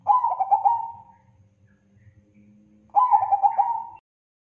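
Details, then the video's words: Bangkok-type zebra dove song, a long-duration lively recording used for training other birds: two rapid bursts of rolling, bubbly coos around one second each, separated by a pause, with faint low background hum. "Masteran Perkutut Crossing Gacor Durasi Panjang"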